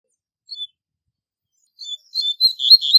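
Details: Double-collared seedeater, strong fast tutoring song: a lone thin whistle, a pause, then soft high notes building into a loud rapid run of slurred whistles cut off at the end.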